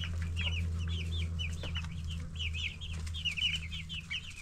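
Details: Broiler chicks at ten days, clear arched high peeps repeated several times a second from a few birds, with a loud steady low hum and occasional clicks.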